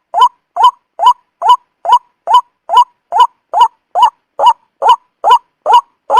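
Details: Lure call of a white-breasted waterhen used by trappers: fifteen loud nasal upslurred notes in quick, very regular succession with a clean, quiet background.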